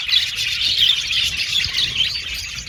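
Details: Busy budgerigar chatter from an aviary colony: continuous high warbling and chirping from several birds at once, with occasional short squawky notes mixed into the chorus.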